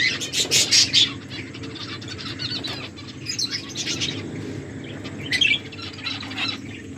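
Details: Finches chirping while eating food: bursts of high, sharp tweets and short twittering notes, with soft rustling and wing flutter between calls.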